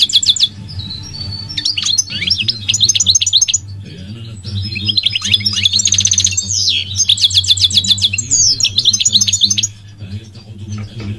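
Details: Migratory goldfinch in long continuous song: chattering, tinkling phrases with fast metallic trills and twitters, separated by two brief pauses, over a steady low background hum.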